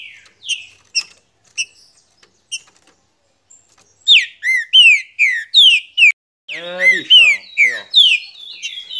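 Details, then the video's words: Green-winged saltator singing: after scattered short chips, loud rich whistled phrases of slurred downward notes with harmonics, delivered in quick bursts of five or six, then a second run. "TODO TRINCA FERRO CANTA COM ESSE TRINCA"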